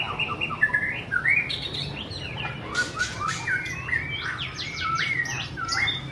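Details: White-rumped shama gives loud, clear whistled phrases with rising and falling slurs, then a fast string of sharp rhythmic notes near the end, over a faint low hum.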